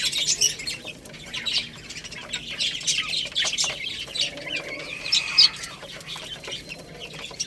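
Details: Baby chickens pecking at rice, with scattered high peeps and a few louder chirps near the end, over rapid irregular tapping sounds.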